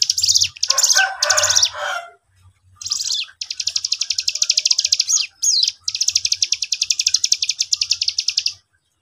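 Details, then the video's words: A young cigun used as a lure so other cigun reply. Several short rough bursts, then long, fast runs of high, sharp chips lasting up to two seconds, over a low steady hum. "pancingan cigun muda gacor ini bikin cigun bahan ikut nyaut"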